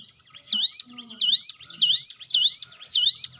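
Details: Hill prinia singing, played to coax quiet cage birds into song: five ringing, rising whistled notes spaced about two-thirds of a second apart, with faint low murmurs beneath.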